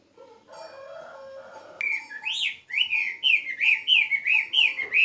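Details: Pet bird kept at home: after a low, hoarse note and a short, broad, buzzy stretch, it breaks into bright, repeated, arched whistles that are steadily paced and grow louder toward the end.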